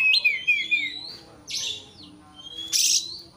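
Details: Kacer, the white-rumped shama, in a rival-provoking song: a quick sequence of rich whistled notes followed by two harsh, noisy rasps.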